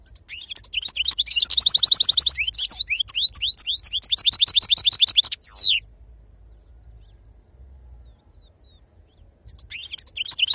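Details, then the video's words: European goldfinch singing in the authentic wild 'khloui' style known as Sarfati: rapid bursts of high tinkling, buzzy notes and fast trills rising and falling, with a pause of several seconds before singing resumes. "أفضل تغريد بندوق حسون خلوي أصيل الله يبارك لصحابو ما شاء الله لغه خلوي أصيل سرفاتي"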